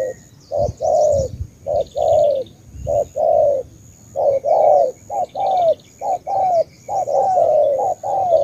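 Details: Vietnamese spotted dove, Ca Mau bird, cooing continuously in short-then-long pairs, low and resonant, with some thumps and faint high buzzy trills in the background.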